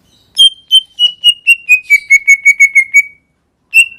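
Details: Greater green leafbird singing a run of about eleven clear whistled notes that step gently downward in pitch, evenly spaced over two and a half seconds, then one more whistle after a pause; no other sounds.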